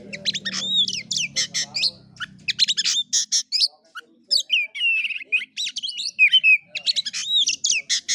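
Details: Oriental magpie-robin delivering kura kura fighting-style song, rapid sharp chips and looping whistled phrases in quick succession, a faint low rumble beneath the opening seconds, then clean song.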